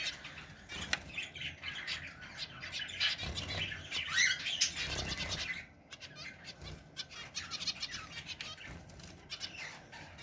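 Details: Zebra finch chicks in Mansehra keep up a busy chorus of nasal, buzzy chirps, many overlapping, loudest in the first half and then thinning to scattered softer notes amid faint fluttering.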